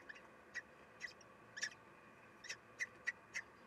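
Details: At a common kestrel nest where the female feeds the young, 3 June 2021; short bright chirps repeated about every half second, separated by faint hum.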